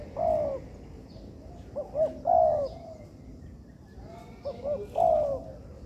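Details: Trainee spotted doves (tekukur) in an artificial yard: two phrases of quick rising double notes leading into a long, slightly falling coo, set against noticeable background noise and faint higher chirps.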